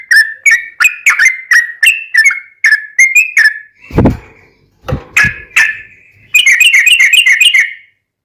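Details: Yellow-vented bulbul delivering 'ropelan tembus-tembus' song with 'ngelituk' and straw-headed-bulbul-like phrases, played to tutor and lure caged bulbuls. Rapid slurred whistled notes are interrupted by two dull thumps, then a closing burst of rapid chatter.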